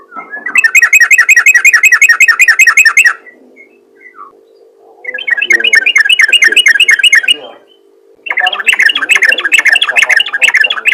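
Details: Yellow-vented bulbul in strong voice calling other bulbuls, three bursts of rapid, bubbling chatter separated by short pauses, with a low steady hum underneath.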